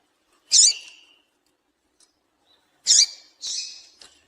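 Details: Calling female double-collared seedeater, meant to stir a male into song: a single high, piercing chip, a pause of over two seconds, then two more chips close together.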